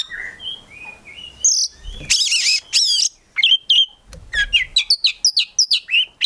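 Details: Captive Oriental magpie-robin in full song: soft whistled notes, then loud harsh buzzy bursts, followed by a fast run of sharp repeated chirps.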